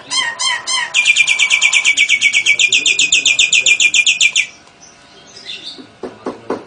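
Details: Nias hill myna singing energetically with lovebird and canary imitations in a long ngekek run: a few harsh chirps, then a fast rapid series of bright, ringing harmonic notes about four per second for three seconds, followed by quieter scattered clicks.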